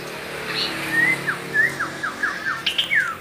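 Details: White-rumped shama giving loud, shrill song: a series of short whistled notes, mostly descending slurs, spaced about a third of a second apart, ending in a brighter falling whistle; faint low hum underneath.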